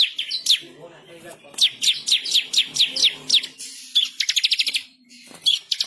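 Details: Bar-winged prinia in full, fierce song for tutoring, rolling and sharply shot phrases: a long series of high downslurred chirps, then a brief rapid ticking trill and a few final notes.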